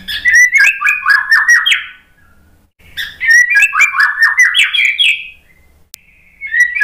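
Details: Murai batu lure song for shamas that are stressed and silent after moulting: two long bursts of rapid, varied whistles and downslurred notes with sharp high chips, separated by a brief pause, with a third phrase starting at the end.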